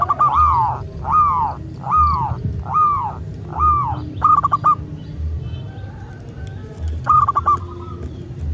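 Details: Zebra dove of a local Indonesian strain, used to prompt caged birds to sing: five arched, descending coos in quick succession, then stuttered clipped bursts with quieter gaps, over steady low hum.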